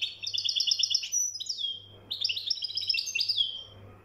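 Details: Moroccan goldfinch, described as mkhantar, sings a string of quick repeated twittering notes, then a short gap, then another liquid, jingling phrase, with a soft background hum.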